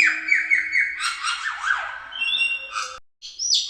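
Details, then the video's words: Cucak keling singing as a lure for other birds: quick repeated down-slurred chips, then a jumble of buzzy notes and thin high whistles, a short gap, and a final bright phrase. "Sekali Dengar Pancingan Cucak Keling Gacor Ini || Burung Anda Langsung Ikutan Teler"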